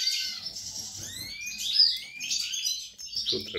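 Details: European goldfinch kept in captivity for breeding, recorded 28 March 2020: a continuous run of high twittering with long upward-sliding whistles and a sharp buzzy note in the middle, and a man speaking faintly near the end.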